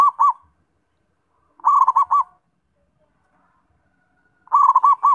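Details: Zebra dove repeating its song: a stuttered run of rolling coo notes ending in two or three rounded loops, roughly every two and a half seconds, in otherwise quiet surroundings.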